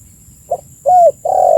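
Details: Spotted dove, recorded as a lure for attracting birds, giving a brief soft note followed by an arched whistled coo and a long, slowly falling coo, with a faint high hum behind.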